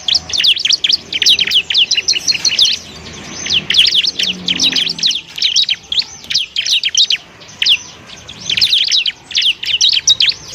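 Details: Bar-winged prinia (ciblek) singing as a training song for other birds: long rapid streams of high chirps and slurred notes, broken by short gaps, repeated throughout.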